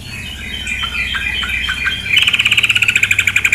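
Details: A female sooty-headed bulbul: soft, thin chips at first, then a loud, fast buzzy rattle of evenly pulsed notes lasting over a second, with flowing water murmuring throughout.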